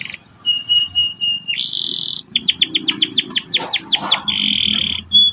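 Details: Canary in morning song, ngeriwik-ngerol type. Short pure notes and a buzzy burst lead into a rhythmic run of about a dozen high down-slurred whistles, ending in a sustained buzzy roll.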